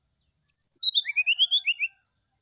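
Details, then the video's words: Morning sulingan song of an oriental magpie-robin, a fast flute-like string of about a dozen sweet whistled notes sliding down and then rising in a smooth cascade. "Suara sulingan srdc di pagi hari"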